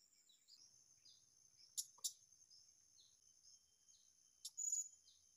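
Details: Wild blue-crowned hanging parrot found at a new site: a pair of brief piercing high notes, a pause, then another sharp note followed by a short shrill whistle, with a continuous high insect buzz behind.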